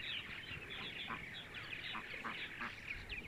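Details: Purple martins chattering on a sunny Sunday morning in central Ohio; busy overlapping high chirps and gurgles with a few slightly lower, fuller notes scattered through.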